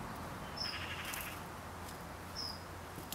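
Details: Breeding common chiffchaff at its garden nest in the UK, alarm calling: two brief, thin, upslurred whistles nearly two seconds apart, against steady low background noise.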